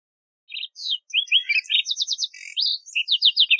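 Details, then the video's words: Lark sparrow (Chondestes grammacus) song outdoors: varied, high phrases that jump from bright whistles to buzzy rattles and rapid ticking trills, delivered without pause against a silent background. "Birds Singing - Lark Sparrow"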